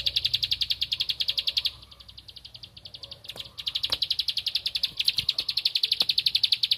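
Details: Bar-winged prinia (ciblek padi) singing while looking for an opponent: rapid high chip notes, a quieter stretch of about two seconds, then louder renewed chipping with a few clicks.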